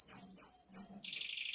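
A male red canary sings three quick, high, downslurred whistles, about three per second, then breaks into a rapid buzzy trill.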